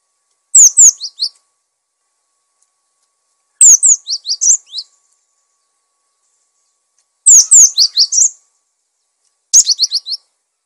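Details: Gelatik batu, the cinereous tit, in vigorous song for training and luring other birds: four phrases of sharp falling whistles and lower quick notes, each under a second, spaced two to three seconds apart.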